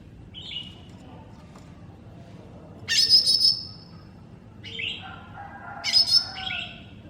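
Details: Greater green leafbird (cucak ijo mini) singing on a masteran training recording: thin whistled notes near the start, then two loud bursts of rapid, harsh, buzzy trills, with lower sliding whistles between them.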